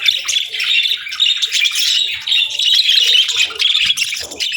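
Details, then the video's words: Budgerigars chirping in the morning calm: a bright, unbroken stream of rapid twittering and chirruping notes from many birds at once. "Soothing Budgie Chirping Sounds"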